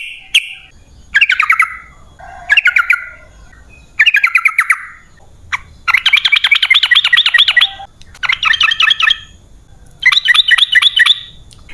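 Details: Sooty-headed bulbul (trucukan) song used as a lure to draw wild birds into answering. Short bubbly phrases alternate with longer bursts of rapid stacked chattering notes, separated by brief pauses; faint low background hum.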